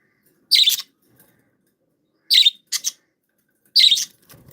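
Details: Pet budgerigars, described as happy and playful, giving three short scratchy chirp bursts about every second and a half, each trailed by a softer note, in an otherwise quiet room.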